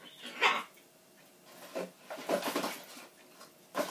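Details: A pet macaw, believing its owner is leaving, throws a "buh bye" tantrum with harsh, loud vocal bursts at irregular intervals, including a quick double outburst near the middle, in a quiet indoor room; macaw.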